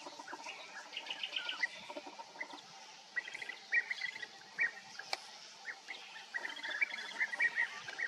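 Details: European bee-eaters at Bölcske, Hungary: several birds giving short, rolling, burry calls in scattered bursts, some overlapping, with a steady background hum and one sharp click midway.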